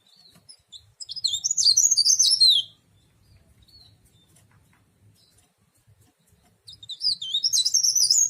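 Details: Leaf warbler (cikrak daun, tralis), an ornamental songbird, gives two bursts of rapid, high, tumbling twittering. The first lasts over a second and the second begins after a long quiet pause.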